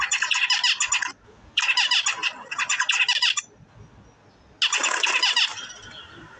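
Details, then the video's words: Zebra finches in India: bursts of rapid, buzzy, nasal chatter lasting about a second each, separated by short pauses, several birds calling together in fast repeated notes. "zebra finches"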